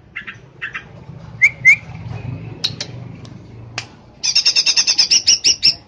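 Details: A greater green leafbird (cucak ijo) kept as a pet in Pemalang, Central Java, Indonesia, sings scratchy chattered bursts and two sharp upslurred whistles, then a fast string of about a dozen harsh, high notes.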